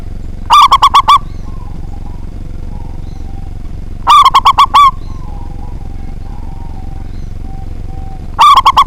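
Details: Strong-voiced local zebra dove singing to provoke rivals. Three phrases of quick rolling coos, repeated roughly every four seconds, over a constant low-pitched background hum.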